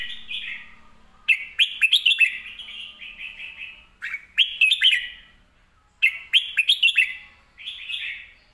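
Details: Lively red-whiskered bulbul song with fast, clear delivery. Repeated loud phrases of several quick, sweeping whistled notes come about every two seconds, each fading into a short warbling tail.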